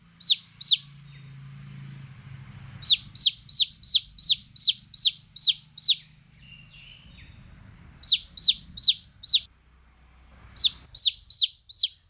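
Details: Baby chicks peeping in bursts of loud, high, downslurred chirps, evenly spaced at about three per second, separated by short gaps with a low background hum.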